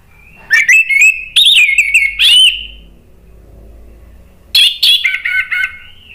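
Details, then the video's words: Orange-headed thrush singing agitatedly to goad other birds into song: two bursts of loud, twisting whistles mixed with sharp, clipped notes, split by about one and a half seconds of near silence. "ANIS MERAH spontan EMOSI NRATAK terus NGEPLONG ¦ PANCINGAN AM"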